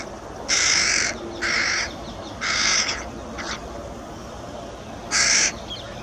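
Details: A young carrion crow, one of a pair's two young, noisily begs food from a parent with five harsh, raspy caws, each about half a second, spaced irregularly against a quiet outdoor background.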